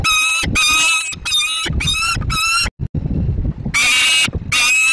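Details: Juvenile peregrine falcon near a nest box in Inowrocław, Poland, complaining loudly: drawn-out harsh screeching cries repeated in quick succession, a brief gap with low rumbling, then further screeches.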